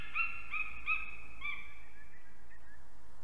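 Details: Eagles at a nest camera in Ķemeri, Latvia, on a March 2024 morning at 6:01 am, two unringed adults arriving and mating; a few loud yelping notes that slow and fade into softer, drawn-out, falling calls against steady background hiss.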